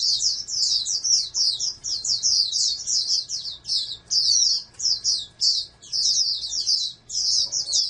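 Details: Captive-bred oriental white-eye, a prospective national champion, gives a long run of sweet, high chattering notes in quick succession, with tiny breaks between phrases every second or so; low steady hum in the background.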